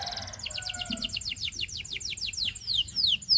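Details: Canary singing for training: a quick pulsed opening, then a steady run of loud descending whistled sweeps repeated about three times a second, growing louder toward the end.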